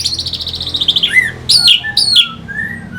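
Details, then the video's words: Orange-headed thrush pancingan song to provoke fighter birds: clear high whistled phrases that slide downward, repeated in short bursts about half a second apart, ending in a softer whistle. "Pancingan SUara ANIS MERAH Pembangkit Figther Burung"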